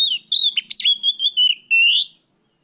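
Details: Afternoon song of an Oriental magpie-robin in the 'riwik plong' style, used as a lure to train other birds. One rich, high whistled phrase of about eight quick notes, ending in a long rising whistle.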